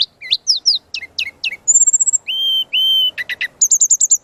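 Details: Chatty brown-chested jungle flycatcher song for training: quick downslurred whistles, a high thin trill, two long steady whistles, then buzzy chips and a repeated high note series, with soft low hum underneath.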